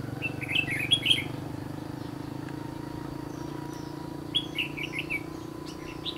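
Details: Red-whiskered bulbul in a trapping setting near the Gulf of Tonkin, singing two bursts of quick chirpy warbled notes separated by a pause, over a steady low hum.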